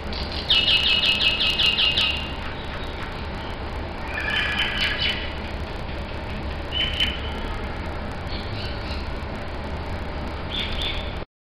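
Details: Three mynas trade harsh chatter and clear whistled notes, opening with a rapid burst of repeated squeaky chips, over a steady low background rumble.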